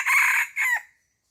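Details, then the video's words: Chicken on a farm: the closing part of a crow, two loud, hoarse, harmonic-rich bursts, the second trailing off into a falling drawl, then quiet. "Chicken sound effects"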